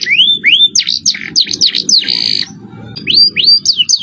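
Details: Canary performing 'cengkok mewah' song for masteran training: rising whistled slurs, sharp swooping notes, a harsh buzzing stretch, then more upward slurs and dipping notes.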